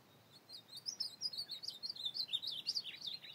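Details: Ultramarine grosbeak singing at night in open field, a rapid warbled phrase of sliding, slurred whistles and chirps running about two and a half seconds, notes rising and falling in quick succession over a quiet background.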